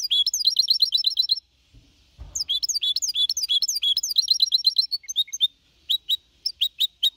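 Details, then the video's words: Four-and-a-half-month-old goldfinch hybrid giving a clean Copia Malaga song, 2021. Quick chattering twitter runs, a short pause with faint low thumps, then more twittering that breaks into spaced single chips toward the end. "Mixto de Jilguero Cantando Limpio (Copia Malaga) 2021 🎶 Tiene 4 meses y medio"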